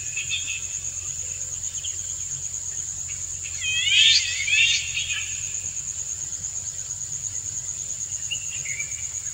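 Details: A single burst of layered, curving notes from a male Indian golden oriole courting a female, rising out of a quiet stretch, with faint scattered notes and a constant shrill insect hum throughout.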